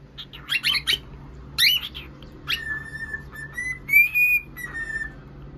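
A cockatiel gives a few harsh chirps, then a run of clear, steady whistles around a single pitch, rising slightly near the end.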